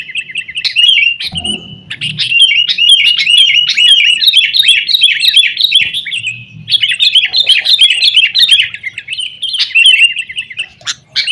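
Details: Sooty-headed bulbul in noisy 'ribut' song, played as a lure for kept bulbuls; long, rapid bubbling chatter with short breaks and a low thump early on.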